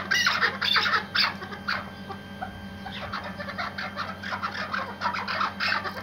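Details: Hunting partridge of the Iraqi white type calling: a loud burst of harsh chattering notes, a quieter lull midway, then renewed rapid cackling, with a faint hum throughout.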